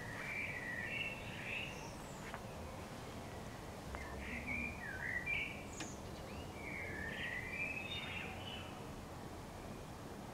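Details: Common blackbird singing in April 2014, a series of mellow, warbled fluting phrases with rising and falling notes, heard at a distance over steady low background rumble.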